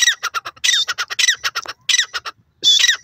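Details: Male teetar, a francolin, giving loud grating calls: harsh rasping bursts mixed with rapid staccato clicks in a rhythmic series, with a brief pause before a final strident note.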